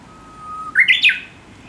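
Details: Chinese hwamei singing in the countryside of Japan, a bird said to chatter as if talking and to wake the recordist every morning; a long thin steady whistle, then three loud bright slurred notes in quick succession.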